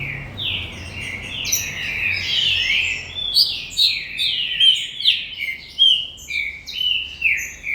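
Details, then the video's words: Green-winged saltator bred in a commercial aviary pouring out dense whistled phrases, slurred notes stacked closely and pulsing in bursts about every half second. "TRINCA FERRO DE FIBRA -GALADORES-"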